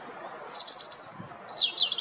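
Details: European robin giving very high, thin, sibilant notes in a rapid series, followed by a brief descending warbled phrase, with soft background noise.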